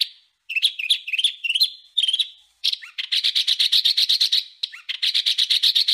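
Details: Coarse masteran song for tutoring pet and competition birds: a long whistled note, twittering phrases, then a rapid, even burst of high, buzzy notes after a short pause.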